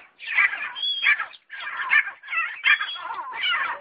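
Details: Partridge calling in harsh, raspy chattering bursts, each lasting about half a second to a second with brief pauses between.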